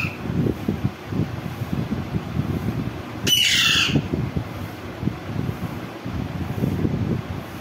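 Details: One loud, grating screech from a green parrot, lasting under a second midway, with continuous low rumbling background noise before and after.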